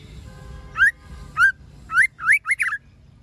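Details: ['Female white-rumped shama calling to stimulate males: a run of short rising whistles, spaced at first, then tumbling together in a quick burst of three, over a low background hum.']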